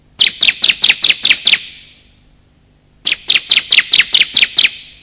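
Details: Male and female bar-winged prinia calls used to lure birds: two bursts of about seven or eight sharp, high chirps, each lasting about 1.5 seconds, separated by a pause of roughly 1.5 seconds.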